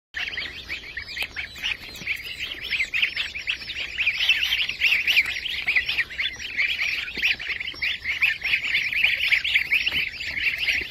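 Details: White Chinese goslings at a hatchery; a dense, continuous chorus of high, shrill peeps from many young birds, overlapping without pause, with soft low rumbling underneath.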